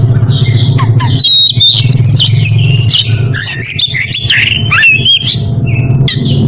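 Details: Oriental magpie-robin in breeding condition, calling a rival: loud whistled phrases and harsh scratchy notes in quick varied bursts, over a steady low engine-like hum.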